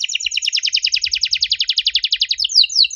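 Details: Canary song played to make young canaries respond: a steady fast series of sharp descending chirps, roughly eight per second, closing with quicker rising notes.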